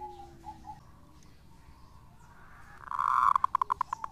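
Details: Faint soft notes over background noise give way to a local lure zebra dove's song. A rising, swelling phrase builds into a quick sequence of short ringing coos that fades out gradually.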